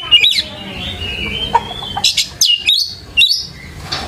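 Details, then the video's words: Oriental magpie-robin singing energetically, used as a lure recording to help young birds learn sounds: a long level whistle, then sharp rising and falling whistled notes with buzzy clicks, set against a low background hum. "PANCINGAN KACER GACOR COCOK UNTUK PANCINGAN KACER MUDA UNTUK BELAJAR BUNYI DAN CEPAT IKUT GACOR"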